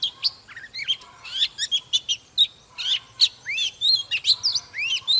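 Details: An old forest-caught Oriental magpie-robin sings and displays in a spirited morning song. Rich varied whistles, rising slurs and rapid chips flow quickly with barely a pause. The background is otherwise quiet.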